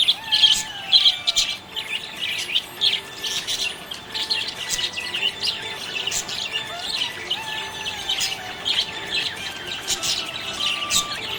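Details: Happy budgerigar giving a continuous chatter of high, rapid chirps and twittery warbles, with occasional sharper squeaks standing out, against a soft steady background hum.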